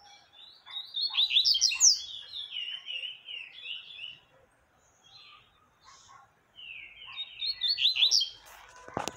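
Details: Double-collared seedeater singing the 'tui tui' song to teach young birds; quick high warbled phrases of slurred, descending notes, a pause, then another rapid twittering phrase, ending with a sharp click.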